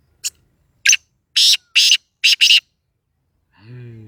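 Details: Black francolin, Sindhi kala tetar, calling: six harsh, raspy, grating notes in quick uneven groups, the middle ones paired closely, then a low droning hum fades in at the end.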